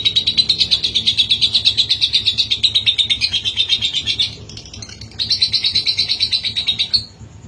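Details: Long ngekek trill from a lovebird, used to provoke a reply: fast rhythmic chattering pulses for over four seconds, a brief pause, then a second shorter burst ending abruptly.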